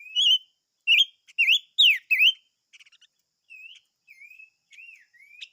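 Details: Chim ngũ sắc, the five-coloured bird, singing a lively run of clear whistled notes, rising slurs and sharp V-shaped downstrokes. A short buzzy trill follows, then softer gliding whistles, over a quiet background.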